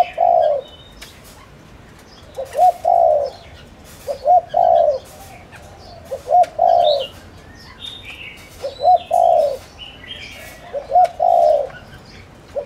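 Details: Spotted dove cooing, used to lure wild doves: repeated phrases of soft, low, hollow coos in groups of two or three, roughly every two seconds, with faint chirps of other birds in the background.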